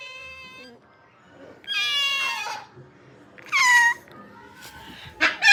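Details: Angry pet cockatiels give several harsh harmonic calls that slide downward, spaced about two seconds apart, with one steady tone at the start and quieter murmurs between the calls.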